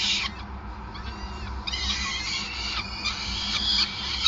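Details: Peregrine falcon nest in Groningen during feeding, 5 May 2020; a burst of shrill calls at the start, a short lull, then steady overlapping squealing calls to the end over a low mechanical hum.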